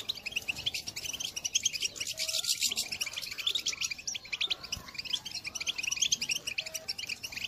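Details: Goldfinch call song from a 2022 recording, meant to stir other birds into singing: an unbroken stream of quick high tinkling chirps, fairly distant-sounding, with a faint lower whistle in the background.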